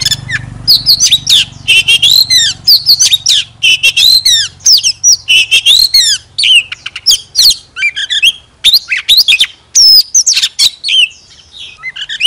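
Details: Decoy Oriental magpie-robin singing with tail spread, delivering a long, loud, rapid stream of varied whistled notes, slurred up and down, with chirps and trills packed together and barely any pauses.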